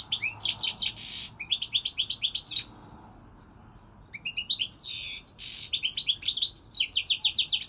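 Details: Goldfinch song in two lively bursts of quick, high, liquid twitters and short buzzy trills, separated by a second-long quiet gap. The bird sings on steadily and close to the listener, with little background noise.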